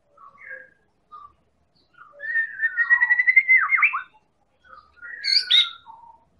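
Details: Medan-type White-rumped shama used to draw other birds into singing: scattered soft notes, then a long loud rattling whistled trill that dips at the end, followed by a higher warbled flourish.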